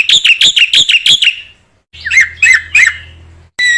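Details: Black-winged myna in full voice, used as lure material for other mynas: quick ringing notes, then several squawking, slurred calls after a pause, ending in a sudden loud high whistle.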